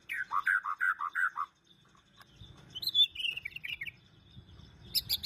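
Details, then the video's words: White-rumped shama song used as a lure to make other shamas sing: a run of rich, slurred whistles, then a quieter rising and falling warble over low rumbling background noise. "Murai batu gacor"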